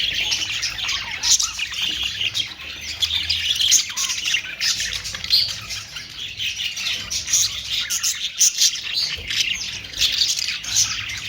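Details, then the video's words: Budgerigars (Australian parrot) keep up a constant busy warble of squeaks, chirps and scratchy squawks. The calls are dense and unbroken throughout. "Austrailian perrot beautiful sound"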